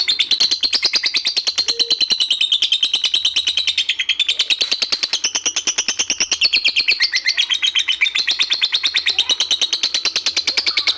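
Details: Collared kingfisher giving a very long 'ngekek' call, the style prized by bird-contest hobbyists: an unbroken eleven-second chatter of harsh, high, rapidly repeated notes, about nine per second, wavering slightly in pitch throughout.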